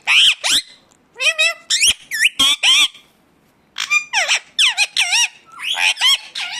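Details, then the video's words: Indian ringneck parakeet calls, its natural sound: loud wavering screeches and squawks in two runs, split by a clear pause of about a second near the middle. "ringneck 🦜 natural sound"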